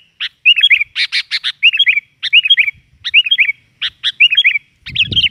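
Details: Lively sooty-headed bulbul used as a lure: a sharp note followed by a bubbly slurred phrase, repeated roughly every second, plus a harsh rattling burst and low knock at the end.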